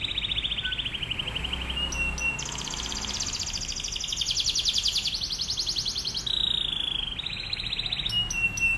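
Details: Atlantic canary singing as a master for other canaries: continuous high trills that step up and down in pitch between phrases, with short sharp whistled notes in between.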